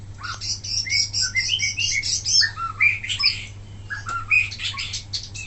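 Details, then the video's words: Wambi in full song for tutoring other birds, an energetic tumble of high chirps, squeaks and quick slurred whistles delivered almost without pause, with a low steady hum beneath. "suara asli wambi mini tembakan mantap buat masteran"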